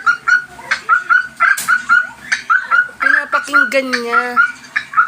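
A cockatiel gives a run of quick, chirpy whistled notes, with a person's voice briefly in the background.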